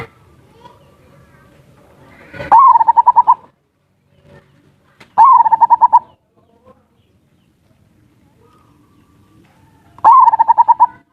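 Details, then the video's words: Ngerot and kuwor style zebra dove song meant to rouse breeding urge and lazy singers: three separate phrases, each a clipped attack then a fast, even string of bubbling coos, spaced roughly two to five seconds apart. "Suara pancingan perkutut ngerot dan kuwor cocok untuk perangsang birahi dan burung malas bunyi"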